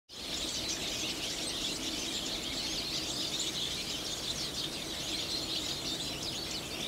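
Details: A flock of about 30 Eurasian siskins at Gokurakuji-san, Hiroshima, on 27 February 2020, in winter ahead of the breeding season, keeps up dense, continuous high thin twitters and wheezy song-like notes, many birds calling over one another.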